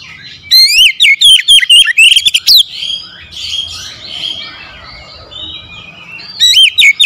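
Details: Oriental magpie-robin kept as a daily cage bird, a lure song to make a quiet bird sing: loud fast whistled and chattering phrases with sharp rising and falling notes, a softer jumbled stretch between, then another bright burst.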